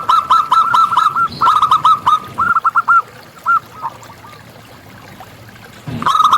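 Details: Local Indonesian zebra dove, a strongly singing wild bird, delivers rapid runs of short, clipped, nasal notes in quick series, pausing briefly between bursts, then resuming; faint background hiss.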